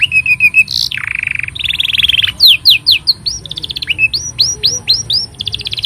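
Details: Long-singing canary song intended as a tutor for young and silent canaries: varied phrases of buzzy trills, a low rolling rattle, then rapid rising and falling whistled notes repeated about four per second.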